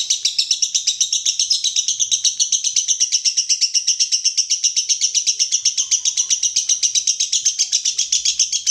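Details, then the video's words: Lovebird performing konslet, a continuous sustained singing style, as a master track for training birds; a steady, high, buzzy chatter pulsing evenly about four times per second without a break. "Masteran Lovebird Konslet"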